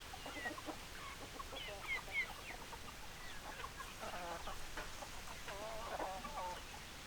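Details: Hens clucking in a flock: many short repeated clucks and brief higher squawks overlapping throughout, a steady background hiss.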